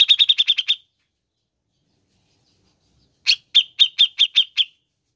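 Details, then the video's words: Grey-cheeked bulbul recording to get caged birds singing: a quick run of eight chirps, a long silence, then a slower series of seven sharp notes. "PUTAR SAJA JIKA INGIN CUCAK JENGGOT ANDA GACOR"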